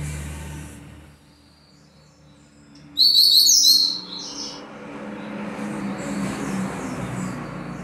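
A Double-collared Seedeater gives one brief, high, rapid twittering phrase lasting about a second, over a steady low rumble of distant traffic.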